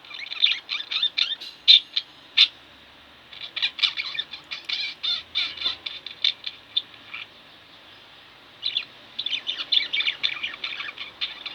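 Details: Chatter from two pet budgerigars at home: dense runs of scratchy, high chirps and twittering, broken by brief quiet gaps, then resuming in lively strings of clicks and tweets.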